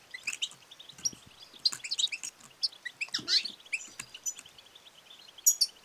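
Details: Dense, continuous high twittering and chirping from a female European goldfinch, calling to encourage males to sing and mate, over a faint hiss.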